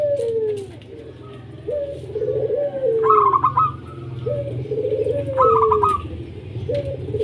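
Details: Zebra dove, local Indonesian bird, song meant to prompt other doves: two bursts of quick rippling coos heard over a louder, repeated looping lower call from another bird and a steady low hum.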